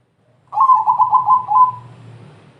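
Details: Song of a crossbred zebra dove, played to draw other doves into singing: one quick run of bubbling, pulsed coos lasting just over a second, over a soft low hum.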